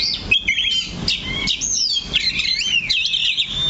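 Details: Kacer, the Oriental magpie-robin, singing in its cage while perched steadily in one place: clear, looping whistled phrases that rise and fall, sweet and fluid, in a continuous stream.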